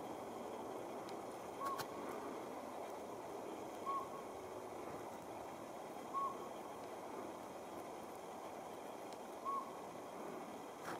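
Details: A Northern Pygmy-Owl in Auburn, California, on 19 February 2019, gives single short, clear hollow toots, one every two to three seconds, over a steady rushing background like flowing water.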